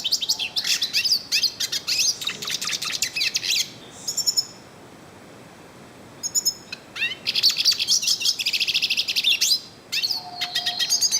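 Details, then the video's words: In the wild in northeastern Brazil, a yellow-faced siskin sings long bursts of high twittering and buzzy trills, pausing for about two seconds midway before resuming with a dense run of chirps and whistles. "PITASSILGO DO NORDESTE CANTANDO MUITO NA NATUREZA - CANTO DO PINTASSILGO DO NORDESTE"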